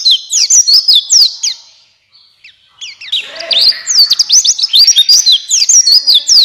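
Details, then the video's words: Buxtoni white-eye singing as a prompt for lazy white-eyes: quick bursts of thin, high, slurred chirps and trills, broken by a short silence before the busy twittering resumes. "Pancingan Pleci Cepat buka paruh Gacor Ngalas Bukpar"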